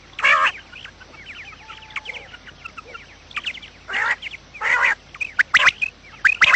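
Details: A quail lure recording: a loud nasal call opens, then quiet twittering notes, and a second stretch of strong harmonic bursts and clicks toward the end.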